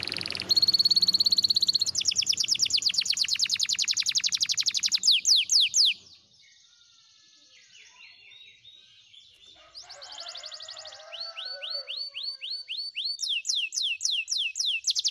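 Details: Training song of a Spanish Timbrado canary: a dense, rattling high trill for about six seconds ends in a few swooping notes, a near-silent pause follows, then rolling trills and quick repeated sweeps resume.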